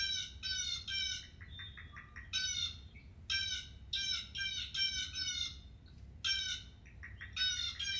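A Blue Jay gives harsh, nasal jeer calls in quick runs of several notes, broken by short gaps, over a faint low hum.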